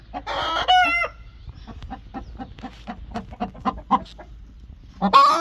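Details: An angry broody hen opens with a harsh, loud squawk, then makes a run of evenly spaced throaty clucks and ends with another shrill squawk.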